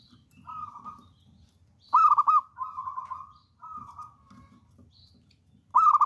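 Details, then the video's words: Wild local zebra dove singing repeatedly. Loud bubbly bursts alternate with longer sustained trilled coos, and fainter coos sound between phrases, as if from more distant doves. "PERKUTUT LOKAL ALAM GACOR"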